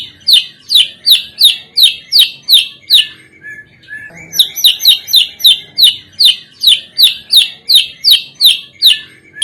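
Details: Lure recording of white-rumped shama song for starting other birds singing: long bouts of bright, sharp chirps repeated nearly three times a second, broken once by a short quiet gap.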